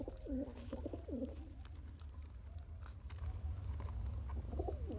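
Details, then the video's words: Pigeon father feeding his day-old chick by pumping; two short, throaty coos in the first second and a half, a quiet stretch, and another brief coo at the end over low rumble. "Pigeon Feeding Original Sound"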